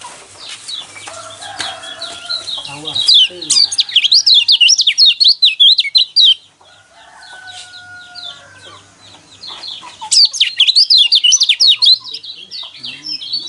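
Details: Yellow white-eye song used to provoke caged birds into singing: rapid, jumbled high twittering of quick rising and falling notes in two long bursts, separated by a quieter gap with softer chirps.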